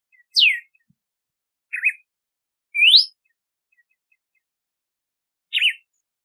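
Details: Four separate whistles from a red-cowled cardinal: a sharp descending note, a short wavering phrase, a smooth rising slur, then a zigzag warble after a long pause.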